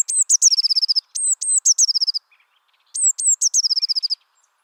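Eurasian Blue Tit singing: two or three thin, very high notes, then a quick, slightly lower trill. The phrase comes three times, roughly every one and a half seconds.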